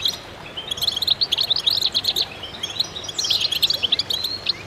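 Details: Chorus of goldfinches singing together: dense, overlapping high twittering with bright tinkling chirps and short rising notes, nearly continuous throughout with brief lulls.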